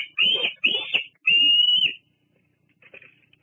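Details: Female bald eagle perching and preening at her Fraser Point nest one evening, July 17, 2022, heard through a nest live camera: two harsh piping notes and a longer drawn-out whistled squeal, followed by faint, softer notes.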